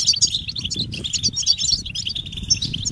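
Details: A short burst of European goldfinch mating calls: quick, sparkling high chirps in irregular clusters over soft low fluttering.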